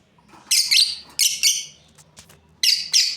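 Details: Breeding pair of lovebirds giving harsh, shrill chirps in a few quick bursts, a double note near the start, two spaced notes mid-clip and another pair at the end, with quiet gaps between.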